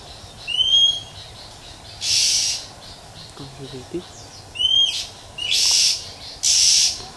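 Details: Wild female Oriental magpie-robin whistling and rasping to stimulate males. Rising whistles at the start and middle are followed by three loud, harsh hissing bursts, with faint brief low murmuring in between.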